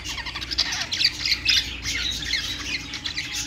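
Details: Budgies perched and singing together, producing busy overlapping chirrups, rasping squawks and quick twittering notes in a steady high-pitched chatter, with a faint low background hum.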